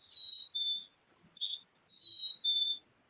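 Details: A Black-capped Chickadee in Michigan gives its clear, whistled two-note song, a higher note dropping to a lower one, remembered as "cheeseburger" or "spring time". It is sung twice with a lone note between.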